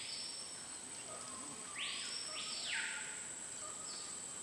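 A snow-capped manakin gives two buzzy, slurred notes in quick succession, each arching down, over a steady high-pitched insect drone.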